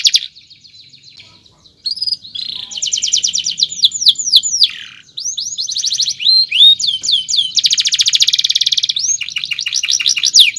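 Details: Canary singing a long chirping training song: a short whistle, a pause, then dense rolling trills, sliding whistled notes and buzzy churrs flowing together with hardly a break.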